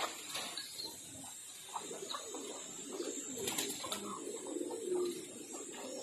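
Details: Low, soft cooing from a blue Pomeranian Pouter pigeon rolls on under the murmur of other pigeons in a loft, with light rustling and chirps.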